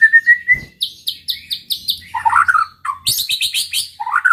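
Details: Rival-provoking song from a white-rumped shama: a long level whistle, a steady series of about eight high chirps, then warbled mid-pitched phrases and a fast burst of bright notes.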